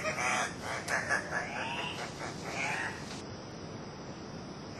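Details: Andean cocks-of-the-rock of subspecies saturata, two males displaying at a lek in Manu National Park, Peru, August 2005: a cluster of short nasal squawks and wavering notes over three seconds, then near quiet.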